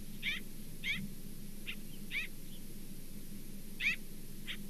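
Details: Osprey at its nest in Charlo, 27 September 2023, giving a series of seven high, downslurred whistled chirps, spaced irregularly about half a second to a second apart, over a low steady hum.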